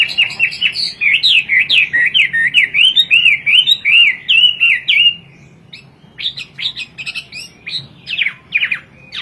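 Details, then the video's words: Hwamei song in the lively 'kowor kowor' style, from a China-native bird imported to Indonesia: a rapid wavering warble of looping whistled notes for five seconds, a brief pause, then choppy, sharp phrases. "Burung wambie gacor kowor kowor"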